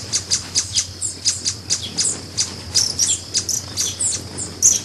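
Brazilian ruby giving a steady series of very high, thin, sharp chips, about three or four each second, over a faint low hum.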